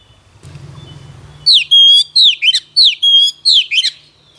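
An Oriental magpie-robin sings loud, clear whistled phrases, each swooping down and ending in a sharp flourish.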